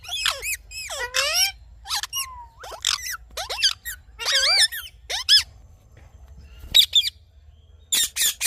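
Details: Morning calls of ringneck parrots: bursts of shrill grating squawks and wavering screeches, separated by short gaps and a quieter stretch near the end, with soft low background rumble.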